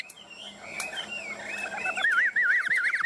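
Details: Caged Chinese hwamei singing confidently at very close range; a soft warble builds into a loud, rapid, wavering trill of rolling whistled notes, with faint background sounds.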